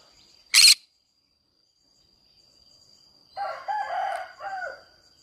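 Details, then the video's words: Green-cheeked conure in a flower garden gives one short rasping squawk, followed after a pause by a rooster crowing in the background. "green cheek conure singing sounds"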